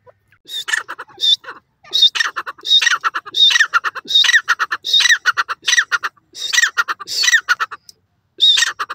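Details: Dakhni Teetar, the grey francolin, calling loudly in repeated harsh, grating bursts. Each burst is made of quick clustered notes with a high whistled start, coming in rapid series about every second with brief pauses, against a quiet background.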